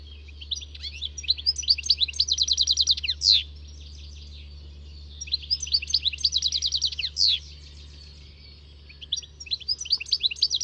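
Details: A European goldfinch delivers fast, rattling runs of high twittered notes in phrases of about two seconds, each ending in a sharp accent, separated by quieter gaps, with a steady low hum beneath.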